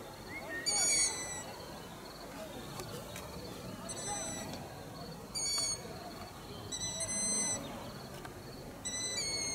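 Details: A family of Long-eared Owls nesting in a village centre, at the end of a garden about 100 m from a house, gives short, high, thin squealing calls every one to two seconds in the half-dark over a low, steady rumble.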